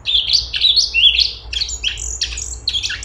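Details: Cucak cungkok bulbul singing eagerly: a dense run of high, quick, slurred whistles followed by sharp, clipped chirps in uneven bursts over a faint background hum.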